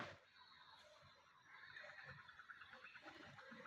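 A shoebill clatters its bill in a fast, even, machine-gun-like run of hollow knocks through the second half, after a quieter opening.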